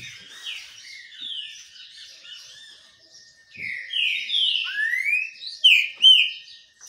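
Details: While sunning itself, a green-winged saltator sings soft whistles at first, then louder sweeping downslurred and upslurred notes in its second half.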